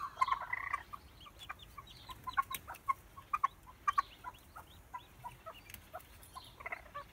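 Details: A male red-legged partridge calls his chicks with short, clucking chuk notes in uneven bursts, some in quick pairs, with a louder harsh run at the start and end.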